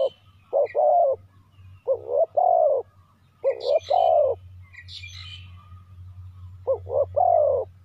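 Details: Decoy spotted dove calling to lure wild doves: low, hollow cooing phrases of two or three notes, four bursts over eight seconds with short gaps, over a steady low hum and faint high chirps from small birds.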